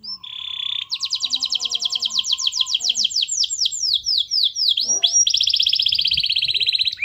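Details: Canary (kenari) master song for training other canaries to sing: a buzzy tone, then a long rolling trill of rapid sweeping notes, ending in a dense, fast buzzing trill; a faint lower whistle runs beneath early on.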